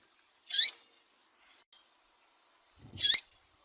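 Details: ['Female double-collared seedeater calling to stimulate males, used by breeders preparing singing birds for contests: two short, high, sharp chirps about two and a half seconds apart, otherwise quiet.']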